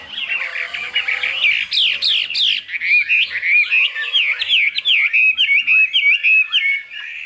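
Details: Chinese hwamei in a cage, singing high 'cao cầu' song: a steady stream of loud, swooping whistled notes, many sharply rising and falling, delivered at a quick, uneven pace with varied phrases.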